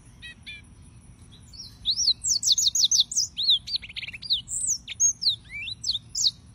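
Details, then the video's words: Singing yellow-fronted canary (Serinus mozambicus): a few soft chips, then a lively stream of bright, high whistled slurs and quick repeated notes, about three per second, varied and twittering to the end. "Suara Burung - (Serinus Mozambicus) White-tipped Green Singers Singing"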